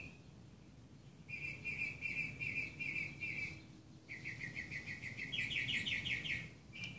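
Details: Northern mockingbird at dawn in a Burbank, California yard, 1 July 2016, delivering two phrases of rapidly repeated notes, the second shifting into a choppier, higher-pitched trill, over a soft background hum.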